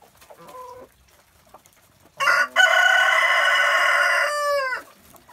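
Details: Early-morning free-range farm flock: short clucks first, then a rooster's loud sustained crow of over two seconds that drops in pitch at the end, followed by quiet clucking.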